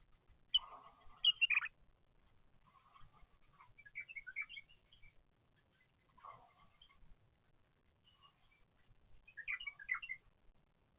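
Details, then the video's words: Young bulbul chicks in the nest, recorded by a surveillance camera during growth from egg to fledging, give clustered high chirps and squeaky notes. The calls come in short bursts separated by brief quiet gaps. "افراخ البلابل من البيضة الى ان تكبر"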